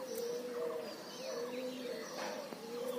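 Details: Outdoors in nature, birds call with low hollow coos in a rolling repeated rhythm, while fainter higher chirps sound behind them.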